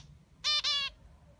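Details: Zebra finch (Taeniopygia guttata), song.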